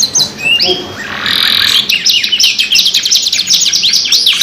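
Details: Canary singing a pancingan lure song: a few separate swooping notes, a sustained buzzy trill, then a burst of rapid high sliding notes repeated densely.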